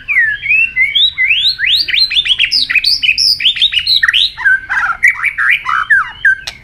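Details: White-rumped shama in contest singing with many voices and flicking its tail: a rich, continuous run of loud rising and falling whistles and slurred notes, fast varied phrases with scattered clicks behind.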